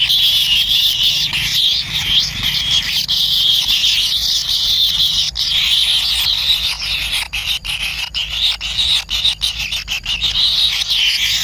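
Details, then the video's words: Nestling kingfishers wait for food from their parent and call without pause. A high, grating buzz fills the recording, and the second half is punctuated by rapid irregular clicks and taps. "ANAK BURUNG KINGFISER LUCU ‼️TAK SABAR SAAT MAKAN"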